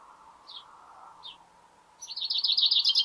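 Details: Male common chaffinch singing in a garden in late winter, just before spring: two thin high chirps, then a fast, bright rattling trill of rapid notes, over a low steady hum.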